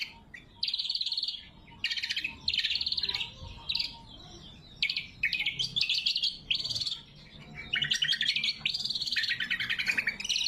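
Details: Lure and training song of a lesser green leafbird, natural and without added effects: bursts of high, fast trills and chattering phrases, each about a second long, broken by brief pauses.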